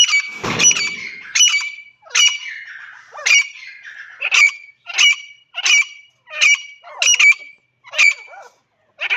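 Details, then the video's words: Partridge (teetar) repeating sharp, rasping, high-pitched call notes, about twelve evenly spaced bursts with brief silences, opening with a low thump. "teetar ki awaaz"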